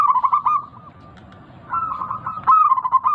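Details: Local big-voiced zebra dove used to trigger singing in a caged bird; two runs of fast, evenly pitched rolling coos separated by a quiet gap of about a second.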